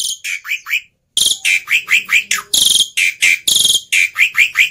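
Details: Black-winged myna fighter, its emotion running high, used to train mute starlings: a few descending whistles, a short silence, then rapid harsh squawks interleaved with bending upslurred notes.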